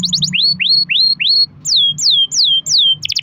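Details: Singing canary used as a lure for other canaries: a brief fast trill, then four rising whistled slurs, then four descending sweeps, ending in a buzzy burst, with faint low hum beneath.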